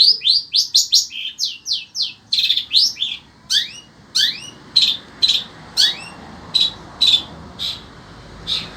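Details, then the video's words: Kept shrike of the sembur type in Indonesia, singing steadily despite the heat: a quick run of sharp chattering notes followed by scratchy high bursts and rising upslurred whistles, repeated at uneven intervals. "burung cendet ini tetap MELOCOR dor"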